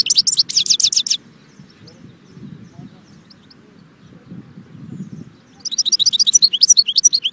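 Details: A goldfinch opens with a short, rapid run of high chirps, pauses for several seconds over soft low noise, then returns with a longer twittering phrase.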